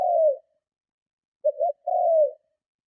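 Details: A spotted dove's provoking lure coo: the tail of one falling coo, a pause, then a full phrase of two short notes and a long descending coo in otherwise silent surroundings.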